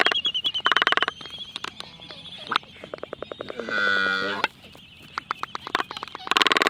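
A black-footed albatross gives rapid bursts of dry bill clicks, then a hollow, drawn-out groaning moan with nasal overtones, and the clattering resumes.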